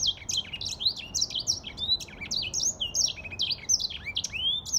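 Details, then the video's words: African grey singing finch delivering a rapid, sustained twittering song of sharp high chirps and downward-sliding whistles, closing with a longer falling note. "تغريد ياسمين رصاصي افريقي chanteur "d'Afrique"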